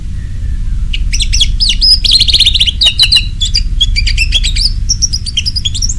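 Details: Ngeplong-style song of an orange-headed thrush, a lure recording meant to get kept birds singing: a loud, fast, continuous stream of varied high whistles, rapid trills and slurred notes, with steady low background rumble.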